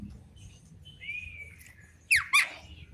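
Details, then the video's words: A Javan myna in the afternoon gives a long, level whistled note that drifts slightly lower, then two loud sharp notes that swoop steeply downward. "Burung jalak kerbau di sore hari||suara jalak kebo full"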